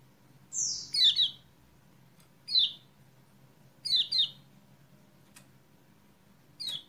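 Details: Kecial kuning chirping to prompt a bird that has stopped singing: a high whistled slur running into a falling chirp, then single and paired descending notes spaced irregularly, and a brief click near the end, over low hum.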